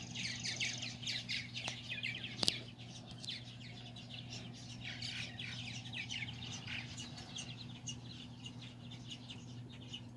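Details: Several purple martins chatter in a continuous stream of gurgling, scratchy chirps while feeding young on July 9, 2020. There is one sharp click near the start and a constant low hum throughout.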